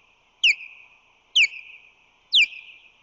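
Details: Osprey pair at their San Francisco Bay nest, March 2020, as the male flies in carrying fish; three strong descending chirps at roughly one-second intervals, each sliding down into a drawn-out thin whistle.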